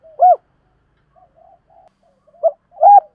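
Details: Spotted dove decoy calling to attract wild birds. Two clear arched hoots frame a stretch of very soft murmured notes, with a final louder coo building at the end.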